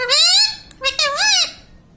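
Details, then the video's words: Parrot kept as a pet mimicking "mummy papa", giving two loud, bright, squawky syllables, the first drawn out and the second arching up and down, in a small quiet room. "Parrot talking mummy papa"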